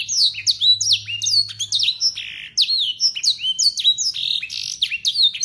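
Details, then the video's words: A local Yorkshire canary tutor bird pours out bright, clean song with looping whistled slides and quick chirped notes, blackthroat and sanger material sung at full speed. "KENARI YORKSHIRE LOKAL GACOR FULL ISIAN BLACKTHROAT SUARA JERNIH"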